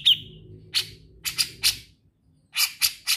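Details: Grey-cheeked bulbul in vigorous song: one short whistled note followed by spaced, loud, harsh, rasping chips, some in pairs, with a brief silence before a final group of three scratchy notes.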